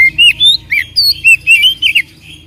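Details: Lure song of an oriental magpie-robin, meant to make a quiet bird sing back: a rapid string of bright, looping whistles and short slurred notes, each phrase distinct, over faint low hum.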